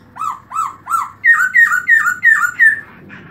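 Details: Black-throated laughingthrush, 2017, singing with open tail: eight loud clear whistled notes, the first three arched and lower, the next five higher and slurring downward, spaced about three per second.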